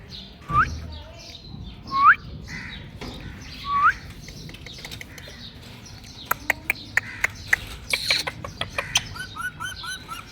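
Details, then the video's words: A pet talking ring-necked parakeet reacting to a mirror gives three clear, hooked whistled notes a second or two apart, then soft chatter amid tapping and clicking sounds. "Funny Talking Parrot Mirror Reaction | Ringneck Parrot"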